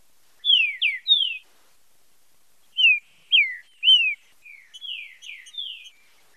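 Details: Training and singing-stimulus song of a green-winged saltator in the 'fibra com marcheado' style: clear whistled downslurs in groups of three, a pause, then more slurred whistles trailing into softer, quicker notes.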